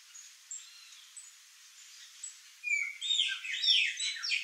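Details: Chopi blackbirds, a flock at backyard fruit; quiet faint high notes at first, then a sudden loud burst of overlapping whistles and chatter filling the second half.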